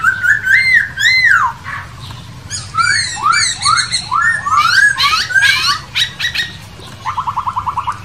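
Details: Wild masked laughingthrush, known as poksay hongkong, pouring out a loud, varied song of swooping whistles, harsh chattering bursts and a closing run of quick repeated notes.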